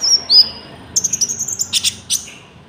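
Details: Konin song used to lure and train birds: a short falling whistle, then a rapid series of about ten high, even ticks ending in a couple of sharp chirps.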